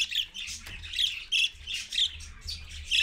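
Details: Harsh, raspy parakeet squawks in quick bursts, about one every half second, high-pitched and scratchy with overlapping chatter, from a mother parakeet and her babies at 6:20 AM on 1 April 2015.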